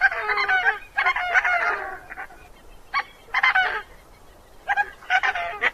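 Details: Coscoroba Swan, named for its slightly gruff honking call: hoarse, trumpeting honks delivered in groups of three or four quick notes, each group followed by a brief silence.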